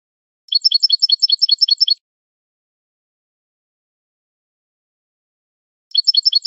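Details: Malagueño-style canary song used for training young birds: a rapid trill of chirps lasting about one and a half seconds, a long pause, then the same trill starting again. No other sounds.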